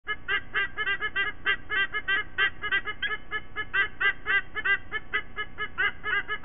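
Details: White-bellied sea eagles at a nest in Sydney Olympic Park, Australia, on 29 September 2023: the adult pair's morning singing ritual joined by their two chicks. Rapid honking, goose-like notes repeat about three per second in overlapping voices, with a steady low hum beneath.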